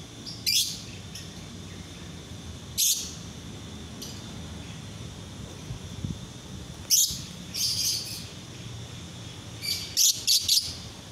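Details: Daytime masteran training song of a lovebird: sharp, piercing chirps in scattered clusters, some doubled or tripled, separated by quiet gaps of two to four seconds, with faint background hum.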